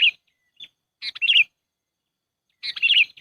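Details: Sooty-headed bulbul lure call used for bird trapping: chattering bubbly phrases with a wavering whistled ending, in irregular bursts separated by silence.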